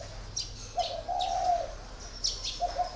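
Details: Caged spotted dove of four years coos: a quick stuttered note, then a long smooth coo, with a new phrase starting at the end. Thin chirps of other birds sound overhead.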